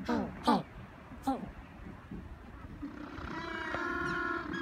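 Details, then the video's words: Several African penguins bray in harsh, mule-like, donkey-like honks: three short bursts early on, then a longer, drawn-out wheezing bray from several birds together. "African penguins singing"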